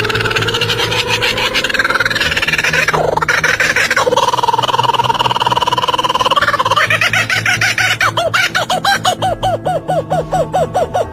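Kookaburra laughing: a fast, rhythmic run of hooked, hollow chuckling notes after some drawn-out tones, with background music and a narrating voice.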